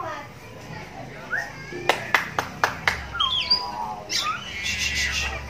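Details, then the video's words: Captive oriental magpie-robin, blind in its right eye from a cataract since young, sings to draw replies from other magpie-robins: a few whistled slurs, then a burst of sharp clicks and fast twittering notes over a faint murmur of voices. "Suaranya Mampu Bikin Kacer Lain Langsung Nyahut"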